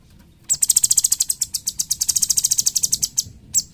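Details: Cucak cungkok, a bulbul kept as a tutor bird for training songbirds, gives a fast run of very high, sharp chips, about eight per second for three seconds, then one last chip.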